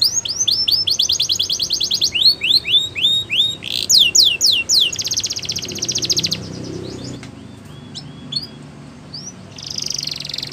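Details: Singing canary running through phrases: rapid repeated descending notes, a stretch of looping upswept whistles, then buzzy trills, with softer scattered notes and a low room hum toward the end.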